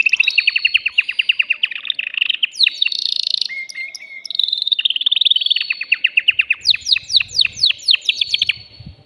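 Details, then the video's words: Excited caged male canary singing to stimulate a female for mating: rapid, rhythmic trills of sharp repeated notes, a brief low whistle in the middle, then fast high chirping runs. "تغريد ذكر كناري هائج يريد تكسير القفص يحفز الأنثي لتزاوج"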